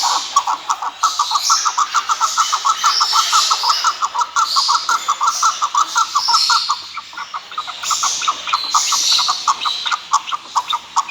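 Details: Chukar partridge giving a fast run of repeated clucking notes that speed up and fade, with hissing background noise.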